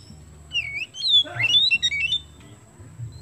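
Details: Oriental magpie-robin song played in full, lively voice, used to stimulate other birds to sing: a short burst of clear whistled notes rising and falling, with a few quick slurred phrases before fading out; steady low hum behind.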